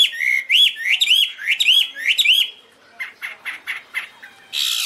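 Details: Chinese hwamei singing loud, clear whistled phrases: a run of rising-falling slurred notes repeated about twice a second for two and a half seconds, then softer short chirps and a brief noisy burst at the end.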